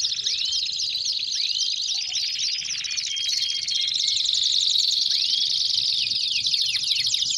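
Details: Belgian canaries singing a high rolling trill with scattered looping whistled slurs, building into a denser, louder chattering phrase in the second half.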